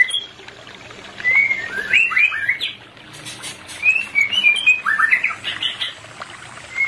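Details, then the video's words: White-rumped shama pair played as therapy for birds not in breeding condition: loud whistled phrases of quick, rising and falling notes, delivered in two main bursts with quieter chips between. "Terapi Cepat untuk menaikan pasangan murai Batu yg Tidak Birahi"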